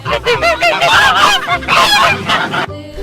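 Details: Goose honking loudly: a dense flurry of nasal, overlapping honks from several birds, steady for most of the stretch before cutting off near the end.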